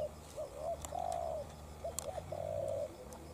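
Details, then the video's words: Decoy spotted dove facing off with a wild bird: paired short coos followed by long rough level coos, two phrases, faint ticking clicks between. "Mồi Cụt Đuôi DNa Quyết chiến Bổi Đồng Sấm - 1 con bổi Chất lượng."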